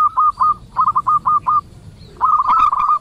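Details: Local zebra doves calling back and forth, used as a lure to set other doves calling. Low, even coos repeated in quick staccato runs, seven short notes and then a longer rolling burst, with faint background hum.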